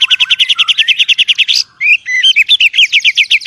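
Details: White-rumped shama in a forest fight: a fast run of repeated high chirps rising in pitch, a short break, then varied whistled notes giving way to another rapid chirping series.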